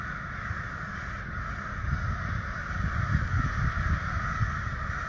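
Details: Distant chorus of hundreds of ravens that kept calling for hours: many croaking calls blend into an unbroken hoarse din, swelling slightly in the middle, over low rumble.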